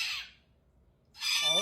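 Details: Angry cockatoo with a rasping screech cut off at the start, a silent gap, then a second harsh squawk beginning as a man's voice rises underneath.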